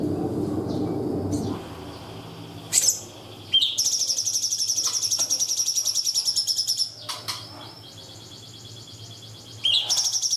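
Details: Cungkok song for training young birds: long, dense, very high buzzy trills lasting several seconds, broken by sharp upward-sweeping notes, with steady background hiss.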